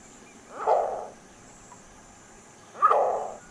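A Green Heron gives two harsh, rough, bark-like calls about two seconds apart, each lasting about half a second, over a faint steady hiss.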